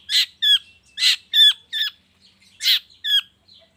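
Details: Long-tailed shrike heard in a morning lure recording to draw out song from other shrikes: loud harsh squawks alternating with nasal, buzzing notes, about one every half second.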